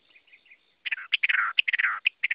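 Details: Chinese hwamei (Garrulax canorus) giving soft warbled notes, then louder harsh, slurred phrases and short bright whistles in quick succession.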